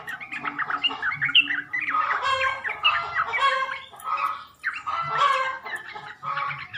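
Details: Lure recording of sooty-headed bulbul for drawing a male's response: steady, busy chorus of gurgling, warbled notes from multiple birds, swelling twice and dipping briefly around the middle.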